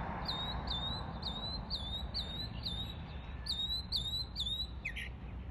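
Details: Mockingbird copying sounds of other birds, a high sliding whistle with a falling tail repeated a dozen times in quick uneven succession, over constant low traffic-like rumble.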